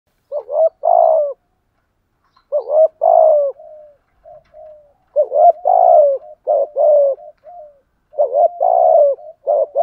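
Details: Spotted dove kept as a decoy bird, cooing in a trained stimulating style: low, hollow coo phrases of two to four notes with short gurgling notes between, repeated in bursts separated by brief silences.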